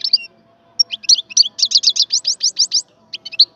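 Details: Wild European goldfinch singing, recorded in 2022: a quick series of bright, liquid twittering notes, a run of about a dozen sharp repeated chirps in the middle, then a few scattered notes, with a faint steady hum behind.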